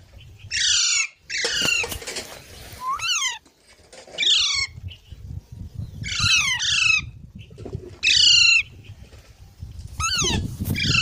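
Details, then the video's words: Baby parrots give repeated rasping squawks in short bursts, each call falling in pitch, spaced every one to two seconds over a low background rumble. "Baby Parrots Sounds"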